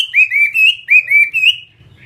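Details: Short burst of song from a Vietnamese fighting-type Chinese hwamei: about six bright downslurred whistles in close sequence, then the bird falls quiet.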